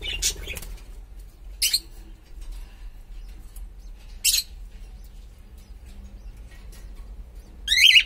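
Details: Pet cockatiel of unknown sex giving short bright chirps, a few high burst calls spaced about one to two seconds apart, ending in a louder warbled chirp, with quiet room background between calls.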